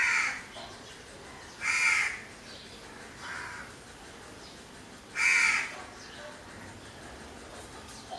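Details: Crow giving a series of rasping caws, four in about eight seconds at uneven gaps, the first and last loudest, over steady faint background noise.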